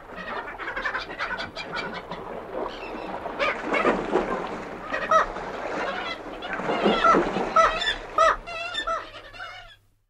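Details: Black-legged kittiwakes, two birds in the distant Arctic, calling with moans, alarms and pre-flight calls: harsh, nasal, overlapping cries that build in intensity, with clearer rising-falling wails near the end before fading out.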